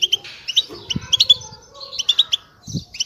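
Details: Several European goldfinches twittering together, used to encourage silent birds to sing: quick clusters of bright, high chirps and short trills, steady overlapping chatter with a soft low thump.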